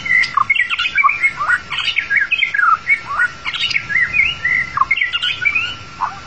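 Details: Long-tailed white-rumped shama song used as a lure to trap the bird; loud, rich and varied whistled phrases that rise and fall quickly, mixed with buzzy, chattering notes, delivered in a continuous stream.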